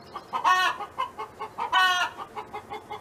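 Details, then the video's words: Hen from a neighbor's farm giving two long, loud, nasal squawks about a second apart between rapid soft clucks. "Chicken Hen Sound Effect [Audio]"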